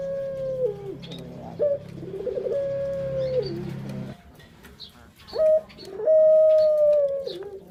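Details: Puter dove (Barbary dove) cooing as a lure for other birds: steady mellow coos with a short clipped note between them, overlapped by a low hum and faint room noise.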